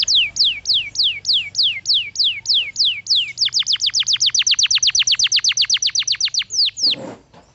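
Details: Singing canary: a string of loud descending whistled sweeps, then a faster run of short repeated notes, about four a second, closing with a final slur and a soft noisy burst.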